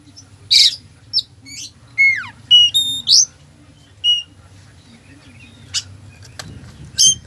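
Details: Oriental magpie-robin full mimicry song for provoking a slow bird: a loud burst, short chips, a long falling whistle and bright level whistled notes, then sparse sharp clicks toward the end.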